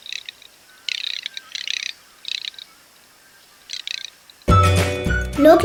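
Garganey giving short bursts of dry, crackling rattles, about one burst every second. Music and a voice cut in at the end.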